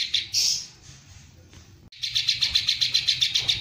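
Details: Long-burst 'tembakan panjang' song of a greater green leafbird, its repertoire filled with kingfisher imitation. A brief bright note opens, then a pause, then a quick chain of high, evenly pitched chips, nearly four per second.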